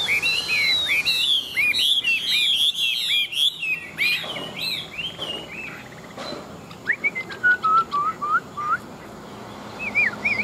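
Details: Old wild-caught Chinese hwamei, a big-bodied fighting bird, delivering fast, tumbling whistled phrases, then a pause and a slower run of falling whistles, with faint room noise.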